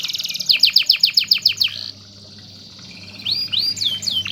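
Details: Master canary song for teaching other birds: a rapid series of steep downward-swept whistles, a quiet stretch, then soft arching whistled notes.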